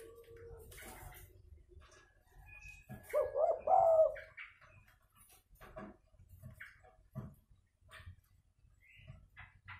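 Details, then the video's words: Spotted dove fighting call used to lure doves down: one rolling, low coo phrase near the middle, surrounded by scattered clicks, taps and brief chirps. "Pancingan suara pikat tekukur tarung"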